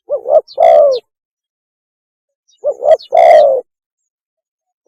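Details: Lure recording of a spotted dove mating call: two phrases of soft coos, a short stuttering note then a longer mellow coo, separated by about two seconds of quiet.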